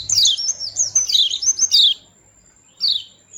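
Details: Melodious small white-eye in playful mood: a dense two-second burst of high, sliding twitters, then silence and one final descending chirp.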